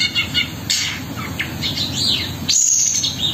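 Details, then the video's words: Long-tailed shrike in full song, mixing rough rasping notes with clear upslurred whistles and a thin high sustained note near the end, steady low background hum throughout. "BURUNG CENDET GACOR MEWAH ISIAN KASARAN DAN TEMBAKAN ROLL SPEED"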